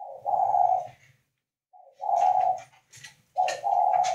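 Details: Spotted dove from northern Vietnam, a bird kept at a breeding facility, cooing in the style called "khách": three low, hollow coo phrases, each under a second, separated by pauses, with faint clicks and rustling indoors.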